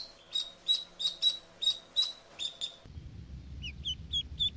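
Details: Duckling crying with a run of high, thin peeps repeated about every quarter second, then a quieter spell of short rising chirps over low rumbling background noise.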